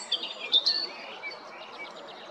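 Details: European robin at Jarun, Zagreb, Croatia, 13 April 2022: a brief high twittering flourish at the start, fading into faint soft warbles.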